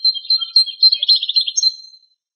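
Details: Male European goldfinch, wild, singing in Greek countryside during very strong wind: dense, rapid, high-pitched twittering with a fast buzzy trill in the middle, tumbling notes close together for two seconds.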